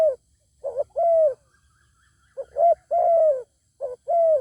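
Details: Zebra dove facing a good-voiced wild bird that refuses to come down: soft stuttering coos followed by long level hums in repeated phrases, a faint distant answering trill in a pause.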